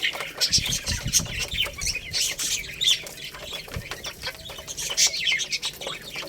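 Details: Lohmann Brown chicks eating rice, a young rooster and hen among them; shrill overlapping peeps come in clusters, mixed with rapid tapping clicks and a few low thumps.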